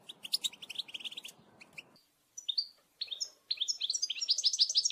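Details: European goldfinch group calls, recorded to stimulate males to sing: rapid high chirps and twitters over a low rumbling background for two seconds, then a short silence and bursts of bright trilled notes growing denser.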